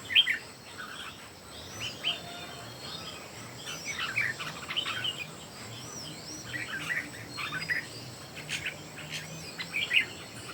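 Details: Three red-whiskered bulbuls competing in song, a long run of repeated short warbling phrases and bright chirps from overlapping birds, steady pace, over faint insect-like hiss and low hum.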